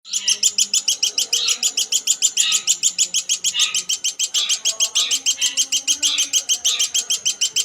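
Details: Woodpecker, locally named platuk sampit, giving a long, steady run of sharp, bright, high notes at about six per second, each note rich and slightly buzzy, continuing without pause; faint low hum underneath.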